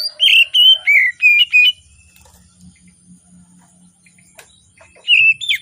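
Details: Oriental magpie-robin morning song, meant to prompt reluctant magpie-robins to sing. Six quick, loud whistled phrases with warbled slurs, then a quiet pause with a faint low hum, then the song resumes.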